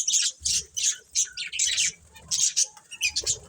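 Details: Family of pet budgerigars giving short separated chirps and squawks roughly every half second, sharp bright notes with soft low bumping sounds in between.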